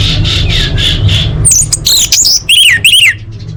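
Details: Orange-headed thrush competition song with full fills: a series of buzzy repeated notes, then loud wavering whistles and rapid looping high phrases, some clipped, over a low rumbling background.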